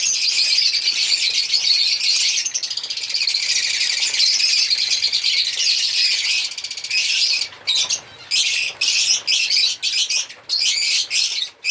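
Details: Shrill, unbroken twittering from African lovebirds, giving way near the end to choppy, separate bursts of chirps.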